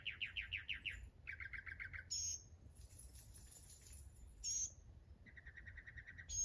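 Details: Mockingbird switching phrases: quick repeated chirps, a lower rapid trill, a thin hissing high note, then another short burst of fast chirps.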